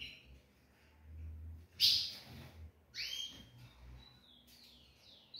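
Ultramarine grosbeak dawn song: a few clear, high whistled notes, some sliding up then down, spread over about four seconds against a faint low hum.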